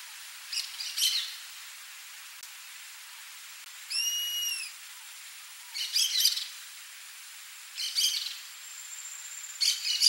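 A Rusty-margined Flycatcher gives short bursts of high, scratchy chattering notes every couple of seconds, with one clear, arched whistle partway through.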